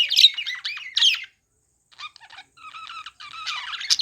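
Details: A playing budgerigar gives two loud buzzy squawks, falls silent briefly, then resumes with soft clicking chirps and a rising, chattering warble.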